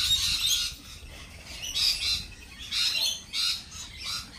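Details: Lorikeets at a cafe give harsh, buzzy screeches in bursts: a long rasping burst at the start, then shorter strident squawks near two, three and three and a half seconds, with a faint low rumble beneath.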